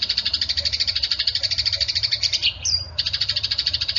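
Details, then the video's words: Eurasian tree sparrow fighting chatter, recorded to train songbirds: a dense series of rapid chirps, about eight per second, interrupted briefly by a pause and a single high downslurred note before the chirping resumes. "SUARA BURUNG GEREJA TARUNG"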